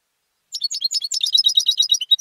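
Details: Home-raised European goldfinch, a singing-contest bird, giving a fast, jumbled string of bright high twitters and liquid chirps.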